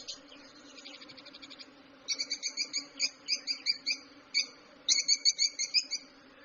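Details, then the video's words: Lovebirds chirping, as they do when playing, eating or excited: sharp high chirps in rhythmic runs of about two per second, some with a fast trilled opening, over a steady low hum. "Lovebirds Chirping Sounds"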